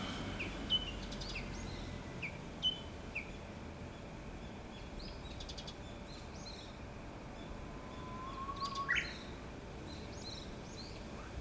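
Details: Wild Japanese bush warbler singing unseen, a faint song phrase near the end: a low steady whistle sliding up into quick higher notes, with a few brief chirps earlier and other distant birds calling over steady background noise.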